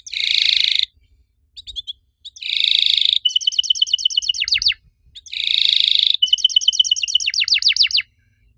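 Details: Riwik canary singing long cuit cuit phrases, meant to trigger other canaries. Two phrases, each a dense buzzy burst followed by a rapid trill and a series of falling chirps, separated by short silences.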